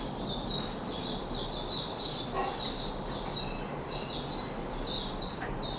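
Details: Red-whiskered bulbul (Puteh Raja), a caged bird given special fruit juice and a mealworm on 13 April 2021, delivers a continuous string of high, quick chirpy notes repeated in short bursts against steady background hiss.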